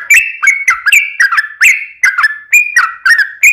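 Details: Yellow-vented bulbul in energetic long rapid-fire 'ropel panjang' fighting-style song, used as a lure to make other bulbuls answer; bubbly slurred notes, each phrase ending in a brief whistle, repeated about every quarter second with sharp clicks.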